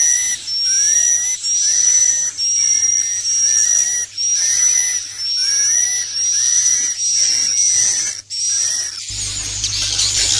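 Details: Swiftlet roosting lure sound, 'inap plus' character: repeated high buzzy chirrups with a whistled thread, roughly one phrase a second, lower twittering notes beneath, ending in a burst of harsher noise.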